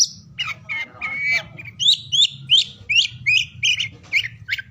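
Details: Oriental magpie-robin song for morning, noon and afternoon: opens with a drawn-out whistle and a wavering phrase, then repeats short rising-falling whistled notes roughly every half second, over a constant low hum.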